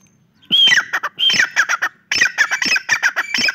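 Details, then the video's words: A francolin gives two loud, harsh phrases of grating, rhythmic notes, each a rapid run of scratchy syllables lasting about a second. "Real Francolin voice video"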